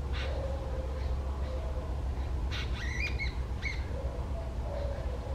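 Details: A jungle babbler, described as angry and calling out loudly, gives a short cluster of harsh, nasal squeaky notes midway, followed by one more clipped note, over a constant deep rumbling background hum.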